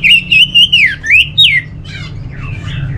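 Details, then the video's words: Kept orange-headed thrush from Bali giving loud, clear whistled notes that rise and fall in quick succession, followed by softer buzzy twittering. "Suara ANIS MERAH"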